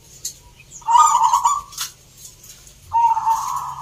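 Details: Zebra dove singing at a local perkutut singing contest in Salatiga, Central Java, Indonesia: two mellow, purring trilled coos near one pitch, about two seconds apart, with soft crowd murmur beneath.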